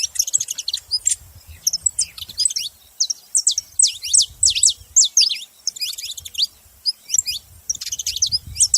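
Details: Saffron finch singing energetic bursts of high, sharp downslurred notes in rapid groups with short pauses between, over a soft low rumble.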